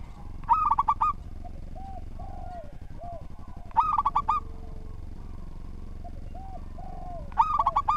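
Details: Three evenly spaced song phrases from a local zebra dove, each a quick tumble of five or six hollow coos, with gentle softer coos filling the gaps and a low constant hum beneath.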